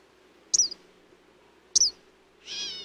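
Eastern Kingbird giving two sharp, high, buzzy zeer notes about a second apart, then a longer sputtering chatter with harmonics.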